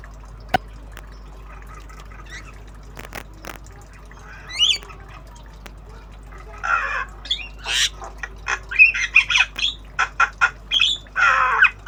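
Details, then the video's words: Tame Javan myna practising sounds in obyogan style: quiet opening with a few faint notes and clicks, then a lively burst of harsh squawks and chatter in the second half. "Jalak kebo Obyogan Belajar Bunyi"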